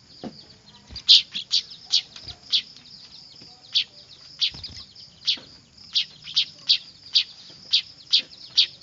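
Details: Clamorous weaver chicks, used as a lure: rapid high chirps repeated about twice a second, growing steadier toward the end, over a thin constant high tone and a few dull thumps.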